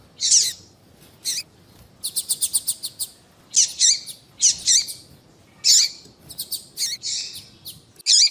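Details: Female papa-capim (seedeater) calling to get males singing: harsh high bursts mixed with a fast rattling series of six or seven short chirps, then further loud paired bursts and scattered chips.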